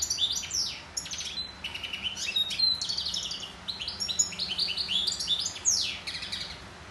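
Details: Goldfinch singing a fast, continuous twittering song of bright chirps, trills and quick downslurred notes, high-pitched and jumbled, running without pause through the whole stretch over a faint low background hum.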